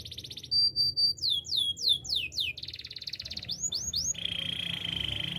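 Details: Canary singing a training song: a buzzy trill, a steady high whistle, a series of sharp descending whistled sweeps, a rolling buzz, then rising notes ending in a long metallic trill.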